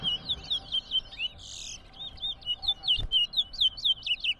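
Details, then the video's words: Towa towa (large-billed seed finch) singing during round 2 of a bird-singing competition at Rosignol, Berbice, Guyana: rapid repeated high whistled and slurred notes, about two per second, with a brief louder burst midway. "TOWA TOWA BIRD COMPETITION"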